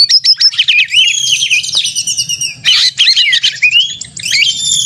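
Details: Oriental magpie-robin (kacer) giving an aggressive fighting song meant to stir other kacer to sing and spread their tails; rapid high whistles, sharp chips and upslurred notes in dense bursts, with a faint low hum.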